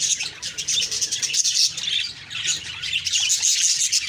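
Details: Morning flock of budgerigars, loud continuous high chirping and twittering with sharp whistled notes scattered throughout.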